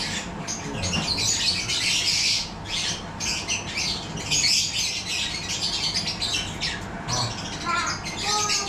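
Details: Captive yellow-collared lovebirds kept for breeding, a busy mix of harsh squawks and rapid high chatter from many birds, with a few clearer whistled notes near the end.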